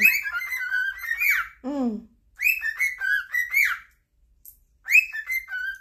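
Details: Pet cockatiels singing together indoors, vying to please their owner: rippling whistled phrases, a lower descending note, then more warbled whistles after a quiet gap, with a faint high chirp in between.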